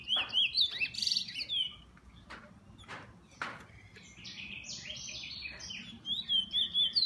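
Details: Kept bullfinch singing: a burst of quick high whistled slurs and a buzzy trill open the phrase, sharp clicks and quieter scratchy warbling follow, then another fast run of looping whistles.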